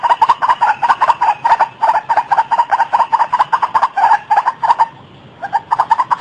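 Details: White-breasted waterhen (Amaurornis phoenicurus) calling: a rapid run of harsh, croaking notes, four or five a second, briefly pausing before resuming.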